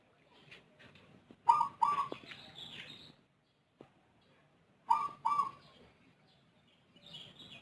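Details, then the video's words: Rondosemoyo zebra dove, kept bird noted for an odd voice and long, frequent calling, gives two bursts of coos, each a pair of accented notes trailing into a soft roll, with faint chirps between. "Perkutut Rondosemoyo suara aneh rajin manggung durasi panjang"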